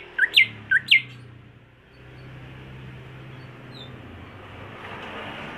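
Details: Greater green leafbird, a home-raised contest bird, gives four quick sharp paired chirps within the first second, then falls silent while a steady low rumble and hiss fill the rest.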